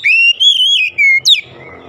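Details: Oriental magpie-robin lure song, used to spur silent or lazy magpie-robins into steady singing: a loud, clear whistled phrase gliding up and holding, then dropping, followed by a sharp upswept note, about 1.5 seconds.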